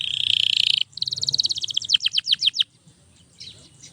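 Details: Singing canary used as a model for training other canaries: a harsh, steady buzzing note, then a quickening pulsed trill that breaks off, leaving faint notes after.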